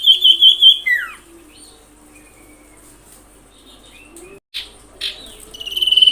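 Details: Common iora call used as a lure to make other ioras agitated: a quick series of four bright trilled notes and a falling slurred note, then scattered faint chirps, clicks and a building high trill at the end.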